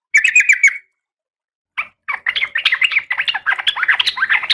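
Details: Calling the male, a breeding-condition female oriental magpie-robin gives a brief rapid chatter. After a silence, a long, loud, continuous sequence of scratchy, jumbled, buzzy notes follows.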